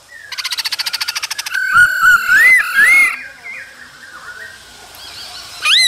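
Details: Male laughingthrush singing beside a calling female in the cold season: a fast, buzzy pulsed rattle opens, then rising whistled notes and slurred phrases, ending in a sharp upward whistle.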